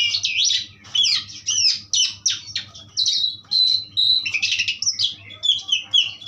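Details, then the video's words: Asian pied starling giving a powerful song, dense bursts of chattering and whistled notes about two per second, with brief gaps between bursts. "jalak suren pastol ampuh"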